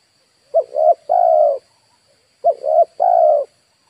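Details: Spotted dove used as a lure for wild birds, giving two cooing phrases. Each has a pair of quick clipped notes followed by a longer, level, hoarse coo. A thin high-pitched whine continues in the background.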